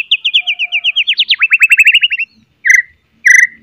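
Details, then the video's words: White-rumped shama song with sharp whistles, aimed at provoking other shamas to sing: a long accelerating string of repeated whistled notes that drops lower midway, followed by two harsh buzzy notes. "CETREKAN,& OCEHAN MURAI GACOR., MEMANCING BUNYI, MURAI BATU LAIN NYA"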